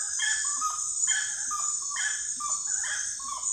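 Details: Common gallinule calling in bursts of rapid clucks that step downward, each burst about a second long, with a constant shrill insect chorus behind it.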